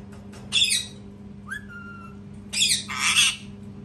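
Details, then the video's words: A parrot gives a raspy squawk, then a clear whistled note that rises and holds level, then a long, loud harsh scream. "PARROT SCREAMING TOO LOUD | PARROT SCREAMING SOUNDS"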